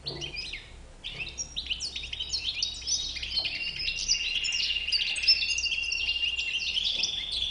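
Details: White-bearded European goldfinch delivering lively song: quick chirps and tinkling notes that build into a continuous twittering stream with buzzy, rattling phrases, growing louder toward the end over a faint low hum.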